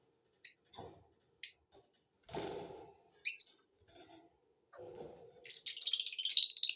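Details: Lovebirds in a happy mood give sharp, high chirps with rustling between them, building into a fast, buzzy chatter of rapid shrill notes at the end.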